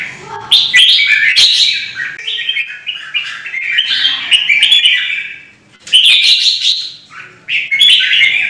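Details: Combat singing from a captive red-whiskered bulbul in Vietnam, provoking competing birds. Loud warbling phrases of varied whistled notes repeat every couple of seconds, separated by short gaps, with scattered clicking noises.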